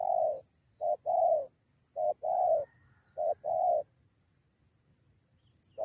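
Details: Spotted dove being lured by a decoy bird, squaring up with a companion for a near two-against-one fight; low mellow coos in short-long pairs, a brief note then a longer throaty one, repeated about every 1.2 seconds.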